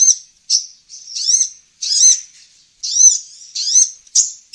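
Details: Olive-backed sunbird (kolibri ninja) lure sound: a series of high, buzzy arched notes of varied length, some smeared into rising-falling slurs, irregularly spaced.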